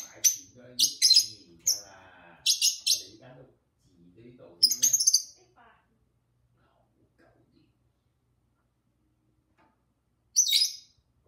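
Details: Pet lovebirds, two birds with their owner: clusters of piercing chirps early on over human talking, then a long quiet spell and one last chirp burst.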